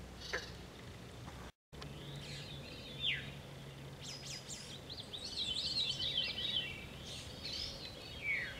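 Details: Catbird song recorded 10 July: varied, jumbled high phrases of short warbles, slurred notes and quick chattering runs, with a steady low background hum and a brief dropout early on.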